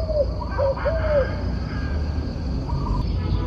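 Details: A single coo phrase from a turtle dove opens the recording: one short note, then a second, then a longer sliding coo, followed by quiet. A steady shrill tone and dull low noise run underneath.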